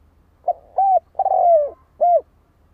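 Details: One phrase of soft hollow coos from a spotted dove: short, then steady, then long and falling, ending on an arched note. Light low-pitched hum underneath.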